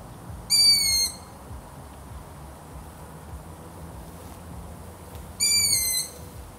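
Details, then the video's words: Long-eared owl giving two high, squeaky drawn-out calls with rich overtones, each about half a second long and falling slightly at the end, spaced roughly five seconds apart over a faint low background hum. "LONG EARED OWL | SOUNDS THAT WILL MAKE YOU FALL ASLEEP"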